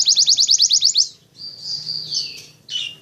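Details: Canary singing: a quick run of repeated bright chirped notes, about eight in a second, followed by a long thin hissing trill, a descending sweep and a short harsh burst, with a faint low hum behind.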